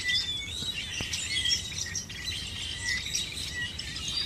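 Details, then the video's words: Chorus from hundreds of birds in a field at Chandler, Arizona, on a mild morning, 1 October 2014. Overlapping high-pitched chirps and thin whistles form an unbroken wash of sound, with one brief low thump. "Hundreds of birds chirping"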